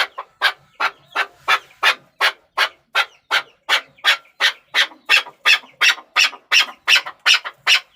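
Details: Chukar partridge (chakor) calling: loud, harsh clucking notes repeated steadily, about three per second, each a broad rasping burst, continuing throughout without pause.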